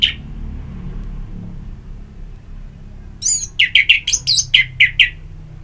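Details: Orange-headed thrush ngeplong therapy song meant to encourage singing: one sharp note, a pause of about three seconds, then a rapid burst of bright, varied chirping notes repeated more than twice a second.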